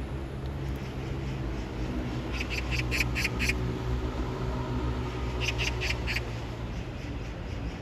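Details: Oriental magpie calling for a mate while bathing itself with water: two rapid bursts of harsh, rasping kak notes, five then four, separated by a pause, over a continuous low hum.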